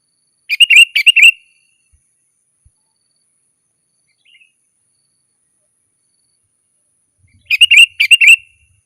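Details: Sooty-headed bulbul song meant to call wild birds in the forest: two short bursts of bright, bubbly notes near the start and again near the end, with a long silence between.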